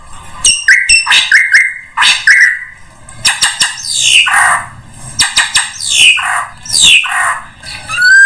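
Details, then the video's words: Drongo song used as a bird lure: level whistles and clicks at first, then a run of harsh, falling slurred notes, ending on a short rising whistle. "SUARA PIKAT SRIGUNTING UNTUK SEMUA JENIS BURUNG"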